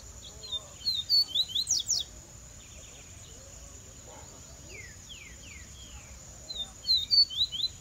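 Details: Caged Rusty-collared seedeater singing: two bursts of quick, high whistled notes slurring downward, a phrase near the start and another near the end, with a quieter run of falling notes between and a steady high hiss throughout.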